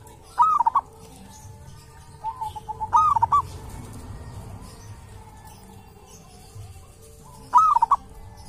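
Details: A zebra dove living wild at a sacred tomb sings short, rapid cooing phrases. Three clear bursts are spaced several seconds apart, with a fainter one in between, over quiet steady background.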